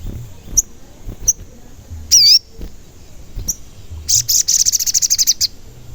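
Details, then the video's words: Sogon lure call for provoking other sogon birds to sing and get agitated, described as 'cuit cuit'. Scattered sharp high chirps and one slurred whistled note, then a fast run of about fifteen high repeated notes near the end. "Pancingan Sogon Agar Bunyi dan Emosi, Sogon Bahan Auto Nyaut"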